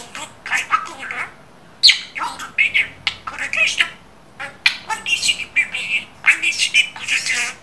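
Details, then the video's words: Budgerigar talking like a person, rattling off rasping, word-like chirps in rapid groups punctuated by short pauses. "İNSAN KADAR NET KONUŞAN MUHABBET KUŞU"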